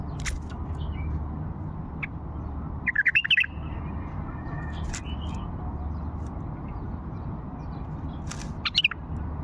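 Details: An old bulbul from Fao gives two short bursts of bubbly, warbled notes about six seconds apart, over a steady low hum and a few scattered chirps.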